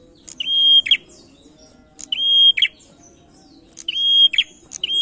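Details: Male prinia lure song, loud and close: a level whistled note held for about half a second, then a buzzy crackling burst, repeated roughly every 1.7 seconds, four phrases in all.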